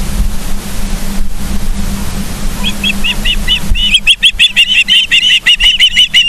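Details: Ospreys at a nest cam in Charlo, Montana, on 31 August 2023 around 09:36; after a low steady hum, a rapid run of high, sharp, whistled chirps starts near midway and carries on quickly to the end.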